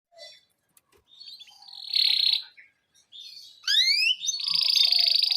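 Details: Canary song used as a training recording to get young canaries singing, in a rolling chirping style: high trills and buzzy rattles, then a sweeping series of rising whistled notes leading into a long, loud, high trill.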